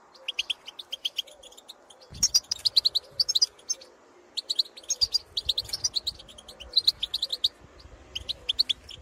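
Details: European goldfinches in the field, wild birds calling to others of their species with pitorreos and calls: bright, tinkling twittered phrases in bursts, separated by short pauses, over a faint low hum.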